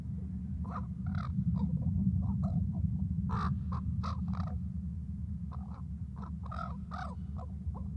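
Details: Crow or raven, possibly a youngster, holding a back-and-forth conversation: a steady run of short, harsh, hoarse caws in irregular bursts, some doubled, over a constant low rumble of background hum.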